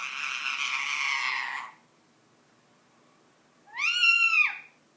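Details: Pet ring-necked parakeet, ten months old, producing a long raspy hissing screech lasting nearly two seconds, then after a pause a single loud, harmonic, arching squawk that rises and falls.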